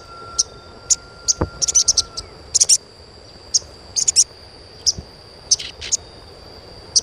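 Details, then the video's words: Asian pied starling chirping used as therapy to make young starlings sing sooner: scattered high tweets and short rattly clusters across the whole stretch, a steady high hum, and a brief low whistle early on. "SUARA CUITAN SOGON UNTUK PANCINGAN SOGON BAHAN AGAR CEPAT GACOR"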